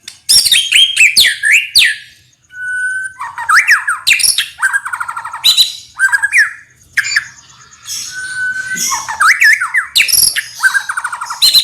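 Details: Loud, aggressive song of a white-rumped shama meant to provoke other shamas into responding: dense bursts of rich whistles, harsh chattering rattles and steep up-and-down slurs, delivered almost without pause.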